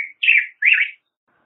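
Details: Black-headed grosbeak song: a brief note followed by two full, slurred warbling phrases, bright and sweet, then silence.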